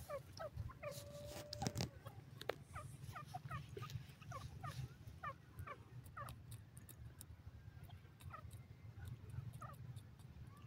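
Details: A francolin in forest, said to give a newly found call, delivers a rapid, repeated series of harsh, cackling notes that rise and fall in bursts, over a steady low rumble.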